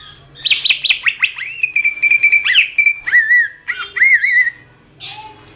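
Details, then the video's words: Greater green leafbird song meant as master material for training songbirds: quick downward-sweeping whistles, a held level whistle, then looping rising-and-falling whistled phrases, loud and varied, with a faint low hum beneath. "masteran suara burung cucak ijo"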